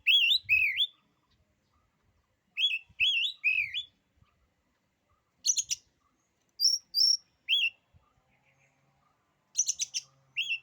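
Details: Oriental magpie-robin delivering song that daunts rivals: bursts of rich, slurred whistles alternating with sharp, high, buzzy notes, separated by short silences, with faint low knocks in the background.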